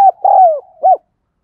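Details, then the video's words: Part of a lure spotted dove's cooing phrase: a clipped note, a long mellow coo gliding downward, and a final short coo, then quiet. "Tiếng Chim Cu Gáy Thúc Gù Gáy Gọi Mới Nhất || Chim Cu Gáy Mồi"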